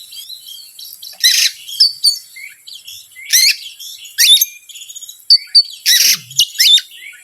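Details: Provocation song of an Oriental magpie-robin for stirring up birds slow to sing: sharp rising whistles, short clear notes and several loud scratchy bursts spaced about a second apart.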